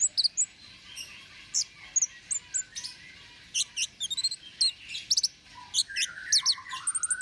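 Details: Orange-headed thrush song used to lure or provoke birds: quiet, scattered, very high sharp chirps and short trills in loose bursts, with a few lower slurred notes near the end.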